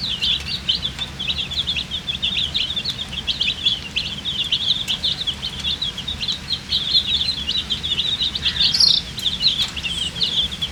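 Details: Poultry chicks, colour-dyed babies, peeping steadily because they are thirsty for water; an unbroken chorus of thin, high chirps runs for the whole stretch, with a few brighter squeaks near the end.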